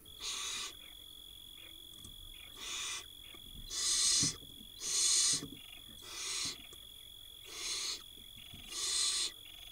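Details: A 2022 barn owl brood in Israel begs as the mother feeds them. Seven breathy, rasping hisses come at uneven intervals of about a second and a half, some louder than others, against a constant high electronic tone.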